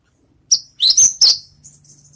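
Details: Javan bush lark after its moult, practising song: a brief phrase of a few high, sharp notes and a bright upward sweep, trailing into faint twittering, with a soft low hum beneath.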